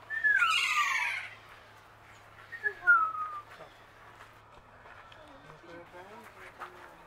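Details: Captive kea (Nestor notabilis) at Zlín zoo, a parrot named for its typical 'kee-aaa' call. A loud, drawn-out descending harmonic screech is followed by a shorter, softer falling cry, with faint voices and quiet chatter in the background.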